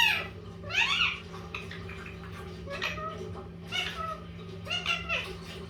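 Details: Talkative pet Indian ringneck parakeet of the green-yellow mutation, speaking in a room: sharp upward-sweeping notes, then a string of short harmonic syllables in clusters about a second apart, with a steady low electrical hum beneath.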